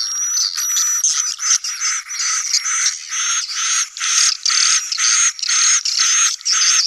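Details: Sedot anakan swiftlet colony sound used for new buildings; pulsing bursts of chirping chatter about twice a second, with a high drawn whistle running over them.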